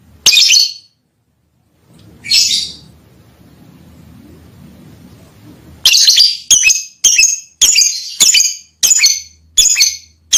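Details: Lovebird chirping to call a female: sharp high squeaky chirps, two spaced notes followed by a quick regular series of about eight harsh chirps, each roughly half a second apart, with faint low background noise.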